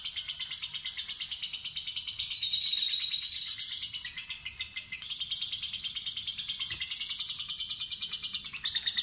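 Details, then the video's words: Fighter lovebird giving the long ngekek ngetik trill: a harsh, rapid, evenly pulsed chatter held for about nine seconds, with a brief whistled tone at mid-pitch around two to four seconds and a short break near five seconds. "Pancingan Lovebird Fighter Ngetik Ngekek Terpanjang"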